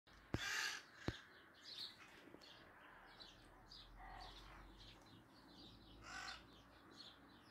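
Maritaca parrots give harsh, raspy screeches in scattered bursts, loudest near the start and again toward the end, with a couple of sharp knocks early on.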